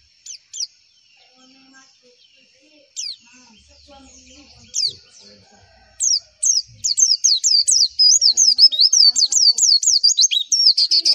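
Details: Javan white-eye singing, used as a training recording that white-eyes answer: scattered high thin chirps at first, then a fast, loud run of high rising-and-falling whistled notes, repeated rapidly for the last four seconds.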